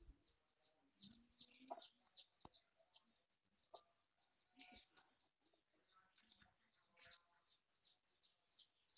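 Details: Foraging mother hen giving scattered low clucks within rapid, high, repeated peeping, about two and a half notes per second.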